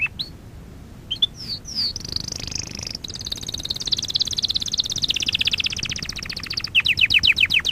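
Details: Song of a canary for training: scattered swooping notes, then a long, high, buzzy rolling trill, finishing with a run of loud descending whistled slurs.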